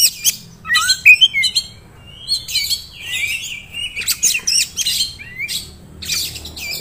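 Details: Oriental magpie-robin, a contest-prospect bird, in dense varied song. It mixes quick chattery phrases, slurred whistles and sharp high notes in an almost continuous stream, with faint low hum behind.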